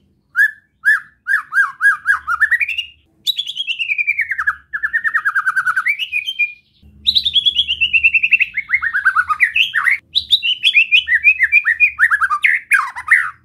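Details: Long relaxed besetan song from a white-rumped shama, aimed at provoking other shamas: repeated rising whistled notes, then several extended rapid rattling runs that fall in pitch, with short gaps between them.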